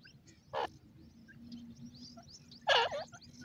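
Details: Wild francolin, known locally as jungli teetar, gives two loud harsh bursts about two seconds apart, the second longer and richer, over a steady low background hum.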